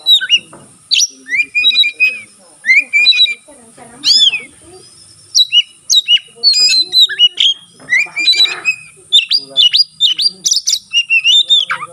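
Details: White-rumped shama, a caged bird singing vigorously with tail spread, its song said to stir other shamas into singing: a rich, continuous stream of varied whistled phrases, sharp chirps and slurred notes, mostly high-pitched, with brief pauses.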